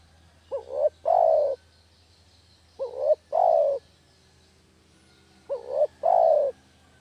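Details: Spotted dove lure call from a village bird, used for trapping doves; three evenly spaced phrases, each a short wobbling coo pair followed by a fuller, prolonged coo that drops in pitch, about every two and a half seconds.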